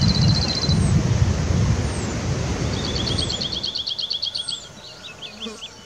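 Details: Cirl bunting song in a riverside wood: a short high metallic rattle, then after a pause a longer fast trill of identical notes on one pitch, over rushing background noise that fades away, with a few thin descending calls from other birds.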